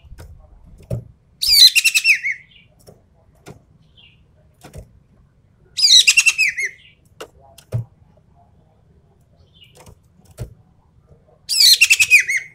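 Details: Ekek keling, the Javan pied starling, repeating harsh chattering bursts in tembakan style: each a fast string of grating, squealing notes, roughly every four to five seconds, with scattered clicks and taps between.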